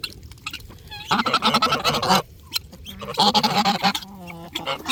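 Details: Several geese honking in bursts, harsh nasal calls overlapping in dense chorus for about a second, a pause, then another loud honking bout with some drawn-out tonal honks near the end.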